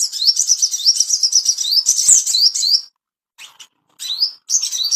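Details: Ashy tailorbird song meant to bring birds into breeding condition: nearly three seconds of dense shrill upslurred notes repeated several per second, a short gap, then further bursts of rising chirps.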